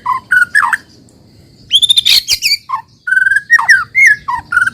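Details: White-rumped shama song used as a lure to make other shamas sing: loud varied whistled phrases, sweeping notes and harsh rapid bursts, with a short pause between phrases.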